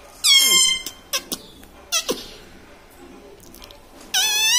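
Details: Household parrot kept as a talking pet that says mummy, papa and radhe radhe utters a sharp harmonic phrase, several short clicks and pops, then a loud sustained strained cry at the end.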